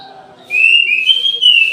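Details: Midday song of an orange-headed thrush kept in an aviary: a single bright, sustained warbling whistle beginning abruptly and wavering up and down for over a second, over a faint low hum.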